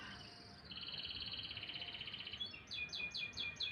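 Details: Canary in morning song: an even, fast trill held for over a second, followed by a string of quick descending chirps repeated several times per second.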